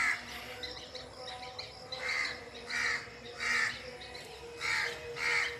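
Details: Birds calling under the forest canopy: a few harsh, hoarse calls in a loose series of about five, softer and more distant against a steady background hum.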